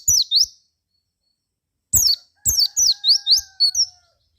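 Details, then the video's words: Javan white-eye song played to provoke other white-eyes into singing: high, quick downward-slurred chirps, then a longer run of about six rapid notes, with a faint steady low tone in the background. "KICAU PLECI GACOR RAJA PIKAT INI,JAGONYA BIKIN PLECI LAIN NYAUT GACOR BUKPAR."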